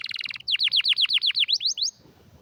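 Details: Canary song beginning with a quick buzzy trill, followed by about twelve sweeping V-shaped whistled notes at a steady pace, ending in silence.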